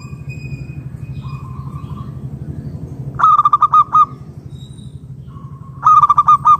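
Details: Zebra dove of a local strain, its call used to entice other doves to call; two loud bursts of quick, rolling, pulsed coos about three seconds apart, with faint drawn-out coos and a steady low hum between them.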